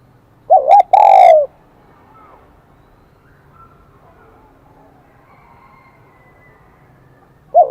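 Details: Spotted dove, wild-caught, singing in the high Kim Đồng voice: one clear phrase of two short coos and a longer coo, then a long quiet pause before the next phrase begins.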